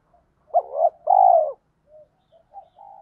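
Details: Spotted dove, lure recording in the thổ pha thúc style to draw wild males into calling: one loud two-note coo, brief hooked note then sustained falling croo, followed by faint quiet muttered notes.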